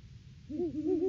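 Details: Great horned owl pair duetting at the nest tree in the off-season, December 2022, captured by a live nest cam; two low voices overlap in quick, wavering hoots that build into a longer, steady hoot, with low background rumble.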